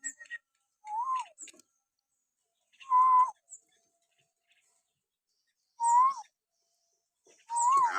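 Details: Common hill myna whistles played to provoke pet mynas to sing: soft upslurred then downslurred whistled notes repeated about every three seconds, with faint high ticks between them.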